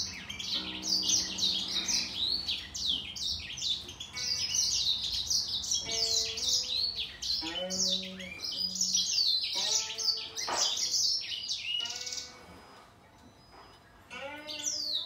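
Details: Grey singer finch dueling in song with a green singer, delivering a long, busy run of quick high chirps and slurred whistles, briefly pausing near the end, over sustained low musical tones.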